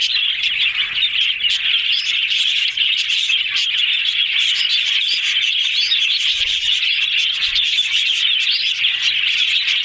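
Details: Happy yellow budgerigars talking in a group: bright, high chirping and warbling packed densely into an even wall of chatter, with occasional clearer tweets rising above it.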